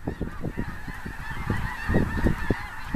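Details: Large flock of more than 10,000 snow geese gathered behind a big lake, a dense chorus of low, nasal honks overlapping in quick irregular bursts, louder near the end, with a steady rushing wash of flock noise underneath.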